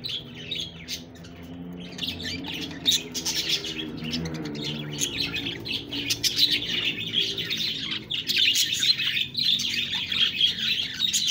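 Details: Budgie sounds opening with lower, wavering warbles and sparse chirps, then swelling into dense, high, rapid chattering from several birds toward the end.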